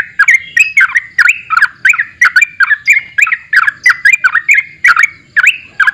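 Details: Sooty-headed bulbul singing vigorously: a rapid, unbroken run of loud, bubbling up-and-down notes, about three each second, with harsh overtones. No other sounds stand out.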